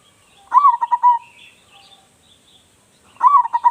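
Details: Local Indonesian zebra dove with a big, loud voice, a bird suited as a lure for other doves, sings a quick stuttering coo phrase, a rising note then rapid pulsed coos. It sings twice, about three seconds apart, with faint high chirps behind.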